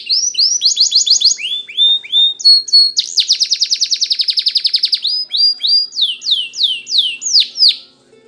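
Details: Spanish Timbrado canary training song: rolling slurred phrases, a short pause, a long fast metallic trill lasting about two seconds, then a string of loud falling whistled notes.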